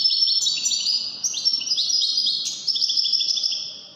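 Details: Widani European goldfinch pouring out a continuous, high-pitched twittering song of rapid trilled notes and bright chips, fading slightly at the end.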